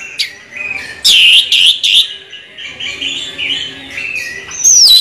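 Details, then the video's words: Orange-headed thrush in rolling ngeroll song, with loud rich warbled bursts, softer sliding whistles in between, and a final high, descending whistled note. "Anis merah ngeroll BoCOR"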